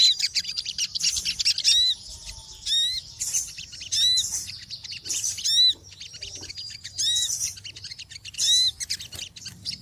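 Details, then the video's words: Small birds calling noisily, with a steady high twittering backdrop broken by loud, clear hooked chirps about every one to two seconds. "Suara Burung Kecil Ribut"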